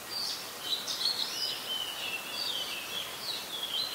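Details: Adult red-whiskered bulbul in Ubon Ratchathani, Thailand, recorded 16 December 2020; a run of bright, warbled whistles around a high pitch that rise and fall over steady background hiss.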